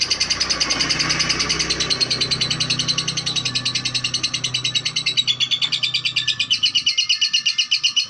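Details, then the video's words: Female lovebird, said to be calm, chattering in a long run of rapid, high, shrill chirps that grow more separate toward the end, over a low steady hum during the first seconds. "Lovebird betina"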